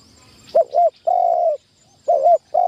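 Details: Spotted dove kept as a trapping decoy and trained in a tent trap for the first time. It gives a soft, hollow double coo followed by a drawn-out steady note, then starts the phrase again.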